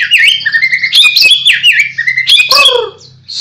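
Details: Loud, rich song of a white-rumped shama being groomed as a future champion: rapid whistled swoops, bright chips and falling slurred notes, with a brief dip in volume near the end.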